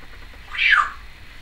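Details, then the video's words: Female pet Timneh African grey parrot, recorded in 2012, utters a single short, hoarse squawk that slides downward. "Timneh African Grey Parrot...various noises"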